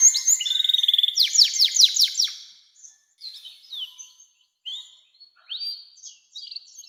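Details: Canary in long 'nembak' song, used to train young canaries: a fast high trill, then loud descending whistles in quick succession, fading into scattered soft, short chirps with pauses.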